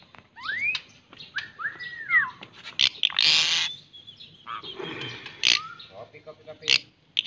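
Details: White-rumped shama giving arched, slurred whistles mixed with loud harsh rasping bursts and scattered clicks, forming a varied, jumbled phrase.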